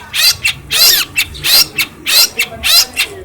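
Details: Cage-kept long-tailed shrike from Cilacap, raised by hand and a skilled mimic of other birds, alternates loud grating rasps with short sharp high chips in a fairly steady rhythm.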